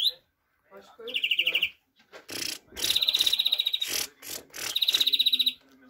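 A European greenfinch sings fast, even trills, three bouts of about a second each, broken by harsh, wheezy bursts of noise.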